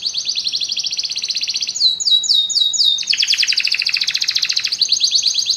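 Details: Many canaries join in song after hearing music, giving fast, continuous high trills that switch into a run of repeated descending chips, then back to a steady rattling trill.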